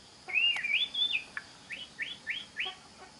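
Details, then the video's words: Oriental magpie-robin song for tutoring other magpie-robins: a quiet, clear warbled whistle followed by a series of five short rising whistled notes, about one every quarter second, over a hissing background. "Pancingan Suara Kacer (Cocok) buat kacer belajar Kicau!!"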